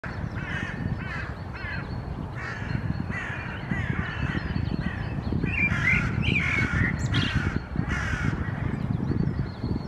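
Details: Restless hooded crows gather in a pine stand in Helsinki, Finland, in April 2024, apparently disturbed by a common raven. They give harsh, hoarse caws in quick, uneven bursts over a steady low rumble of wind.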